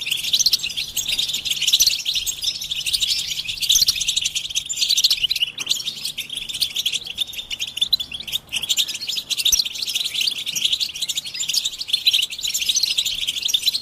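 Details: Stimulation chorus of European goldfinches meant to make a male sing without interruption; fourteen seconds of dense, hissy-bright twittering and trilling, with one brief lull near the end.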